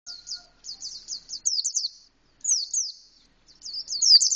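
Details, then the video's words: Indonesian white-eye singing in the canary-like style, full open-beaked song: bursts of rapid, very high, thin descending chirps and trills in quick runs, separated by short pauses, with no other clear sounds. "Pleci rasa kenari full buka paruh"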